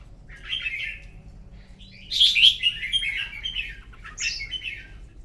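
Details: Contest song of a red-whiskered bulbul at dawn: a soft warble, then a louder, longer, rolling whistled phrase and a final rising note, with a low background hum.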